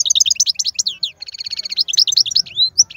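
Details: Wild European goldfinch, a strong male singer, delivering fast twittering song: rapid high chirps and buzzy trills packed tightly together, with a rattling run of notes in the middle and rising whistled slurs near the end.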